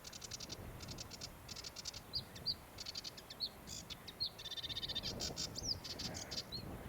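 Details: Sedge warbler near tidal mudflats around Faversham, North Kent, on a chilly, mostly overcast April afternoon, singing a busy, scratchy run of rapid chattering rattles and sharp high whistles over low rumble; an unfamiliar song element the walker guesses is territorial or mating.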